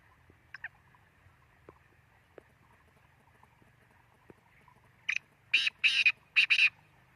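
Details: Black francolin calling: after a quiet stretch with faint clicks, a harsh, grating phrase of four broad, rasping notes bursts out near the end, each note short and loud, run together in quick succession.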